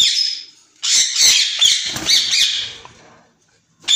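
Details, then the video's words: White ringneck parakeets, a caged pair offered for sale, let out a long harsh screeching outburst with rough, scratchy texture, fading into silence before another squawk starts. "White ringneck pair"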